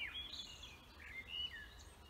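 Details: Forest birds singing: a short run of high whistled and warbled notes, with one brighter clear whistle near the middle, over soft background noise.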